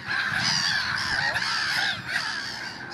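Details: Early-spring gulls crying over one another, drawn-out nasal wails with curving pitch, followed by a brief lull and then more overlapping cries.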